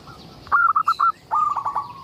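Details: Zebra dove of local stock, recorded for luring other doves into song: two quick stuttering phrases of bright staccato notes, the second trailing into a soft held tone, over light background hiss.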